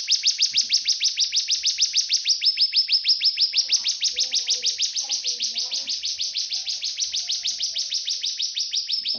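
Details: Cigun song recorded as a tutor for magpie-robins and white-rumped shamas: an unbroken stream of quick, high, rasping notes repeated at an even pace of roughly three per second, with faint low sounds in the background.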